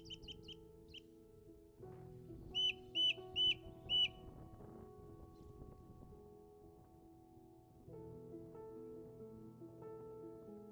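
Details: Ring Ouzel singing on its breeding grounds on a hillside with trees in the Cairngorms, Scotland, on a wet day: loud, clear piping notes, a quick triple phrase, then four strong repeated notes about two every second, over soft music.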